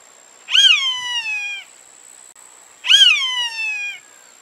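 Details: A hawk calls twice, about two seconds apart: each a harsh, rising-then-falling scream with a long descending tail lasting about a second. A steady faint high-pitched tone runs in the background.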